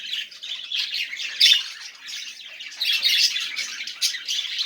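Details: Budgerigars warbling, played so silent budgies will sing; soft scratchy babble swelling into louder bursts of chirps and squawks.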